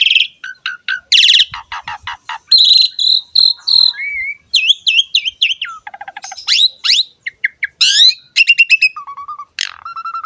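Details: Asian pied starling training song for prompting other birds to sing: quick chattering notes, sustained high whistles, swooping slurred phrases and low repeated piping notes, tumbling together in a busy, varied stream.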